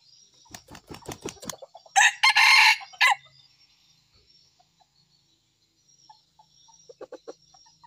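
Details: A red junglefowl kept as a lure (pikat) bird crows: a loud, harsh, clipped burst lasting about a second, preceded by quick rapid pulses and followed later by faint soft notes.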